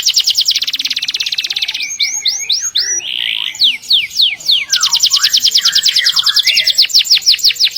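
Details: Canary rolling song used to train canaries and other birds: fast trill, a run of hooked whistles with a harsh buzz, then a long rapid trill to the end.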